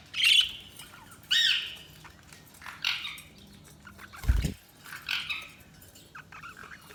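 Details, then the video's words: Budgerigars chirping. Short scratchy chirps come about every one and a half seconds over a steady low hum, with one dull thump midway. "Budgies Chirping sound"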